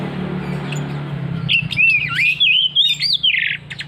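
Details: Oriental magpie-robin in ngeplong ngotot song: after a low murmur of background noise, a loud phrase of twisting whistled notes with dips and rises, ending in a raspier burst.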